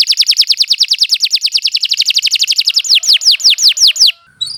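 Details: Canary master song meant for training beginner songbirds: a long rapid trill of repeated notes giving way to slower, loud descending whistles, ending in a brief pause.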